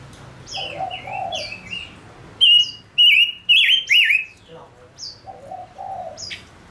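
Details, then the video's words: Male decoy bird gives paired falling whistles, then a burst of loud warbled, wavering notes, with a dove cooing low before and after. "Chim ngũ sắc mồi hót cực hay kích bổi nhanh nổi | chim ngũ sắc hót | ngũ sắc trống"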